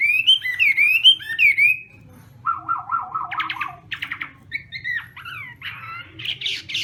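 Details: Chinese hwamei in morning voice practice: three swooping whistled phrases, a short gap, a rapid rattling trill, then a jumble of harsh, chattering and buzzy notes.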